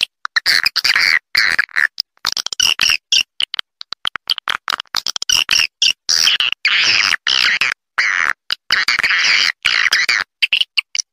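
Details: Calling swiftlets used as an attraction sound: sharp clicking bursts alternate with harsh buzzing twitters, high-pitched and choppy, separated by abrupt silences.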